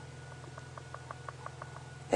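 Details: A woodpecker knocking on a tree just after sunset on an African safari drive, 28 April 2016, among impala feeding: about ten soft, hollow taps at roughly seven per second, over a steady low hum.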